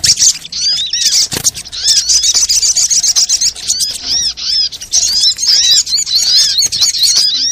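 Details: Brown-throated sunbird in a noisy lure call used to make birds sing and lure them onto birdlime. Nearly nonstop, very high twittering is made of quick rising and falling chirps with few breaks.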